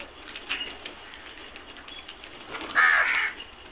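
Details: A black crow from a flock lets out one strong rough caw near the end, preceded by faint distant calls over steady low background noise.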